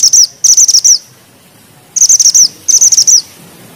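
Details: Grey bushchat in full song, tight rolling with sharp delivery: four short bursts of fast, very high, sizzling chirps, each about half a second long, in two pairs separated by a second of quiet.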